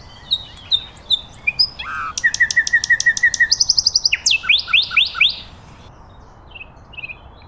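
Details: A varied phrase from a common nightingale in nature: scattered high whistles, then a rapid series of clipped repeated notes, a brief ringing trill and a run of descending chirps, fading to near silence.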